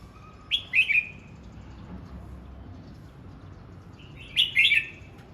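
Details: Red-whiskered bulbul practising its voice: two short phrases of bright, warbled whistled notes around four seconds apart, each a quick rising-falling flourish, over a quiet low background hum.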